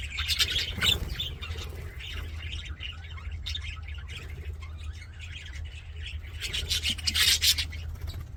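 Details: Happy budgerigars giving a loud chattering burst at the start and another near the end, with quieter scratchy twitters between and a steady low hum.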